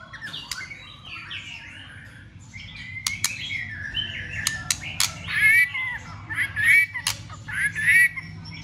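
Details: White-rumped shama's fighting song, delivered with tail-flicking to rouse other birds. A quiet opening gives way to whistled and warbled phrases. Sharp clicks punctuate the song, and the phrases grow louder toward the end.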